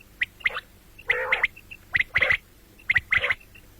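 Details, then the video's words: Common quail repeating short groups of sharp clipped notes mixed with broader grating bursts, roughly three groups within four seconds, over low steady background noise. "бедана batair ki awaz quil sound beautiful morning and night بٹیروں کی سپیشل زبردست آواز صبح رات"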